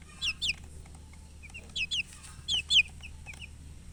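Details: Coloured chicken chirping: loud, clear, high peeps falling in pitch, mostly given in quick pairs about every half second to a second, with softer distant peeps between and a low steady hum.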